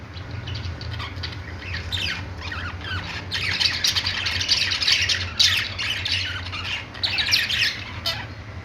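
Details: Many budgerigars in a pet store produce rapid, continuous squawking chatter that builds in the middle, busy high notes tumbling over one another above a low room hum.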